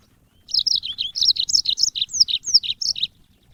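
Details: African yellow-fronted canary song used as training audio for songbirds: a continuous high twittering phrase of rapid, varied chirps and slurred notes lasting about two and a half seconds, with a quiet background.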